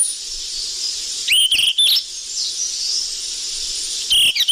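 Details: Sikatan emas flycatcher lure recording. One burst of rapid chirps, a long hiss-filled gap, then a second rising, whistled chirp near the end.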